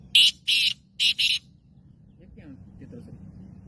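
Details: Kala teetar, a caged black francolin of the Gangas strain, utters four rapid harsh, buzzy notes in a paired rhythm, followed by low background noise and faint voices.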